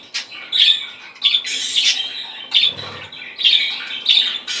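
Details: Budgerigar chatter for encouraging breeding condition: a steady, busy warble of raspy squawks and bright squeaky notes, rising in louder bursts about every second.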